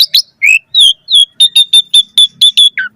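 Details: Asian pied starling in full, lively song, recorded as a training and lure track for other birds: a run of short, clear notes with ringing overtones, evenly repeated about every fifth of a second after a few rising opening slurs.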